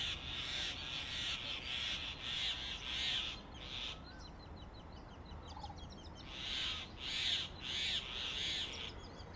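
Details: Male Grey Hornbill feeding his incubating mate in a mud-plastered tree-trunk cavity, Delhi summer; runs of rapid, grating squeals repeated about twice a second, a quiet gap, then another series, with faint small bird chirps behind.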